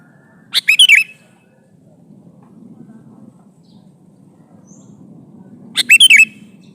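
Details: Calling male sooty-headed bulbul seeking a female, a short jaunty run of rippling notes heard twice, about five seconds apart, with a low murmur in the background.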